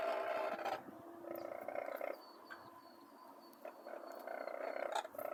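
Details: Near Longreach, Queensland, Australia, Brolgas give loud, grating trumpeting that fades after a second and returns toward the end, with a thin, steady, high whistle from another source in the middle.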